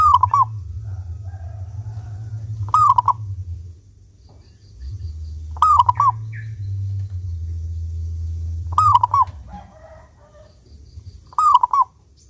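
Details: Cooing of a local zebra dove prized for its clear voice and kept as a lure to make other doves sing. Short rolling phrases repeat four to five times, about every three seconds, over a faint background rumble.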